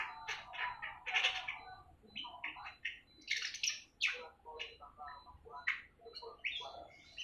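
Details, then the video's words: Awar-awar aged seven months beginning to sing, giving a busy string of short, choppy chirps and chatters, fast and irregular, against a quiet background. "Burung awar awar 7 bulan mulai ngriwik"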